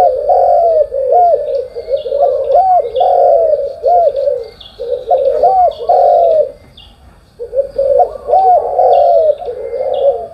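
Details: Spotted dove in the morning giving deep, rolling coos in bursts of several seconds separated by short quiet gaps. Distant high, thin bird calls are heard throughout.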